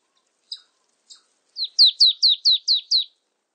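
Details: Two faint, thin high notes from a marsh tit, then a rapid, even run of seven sharp, falling whistled notes, each sliding downward.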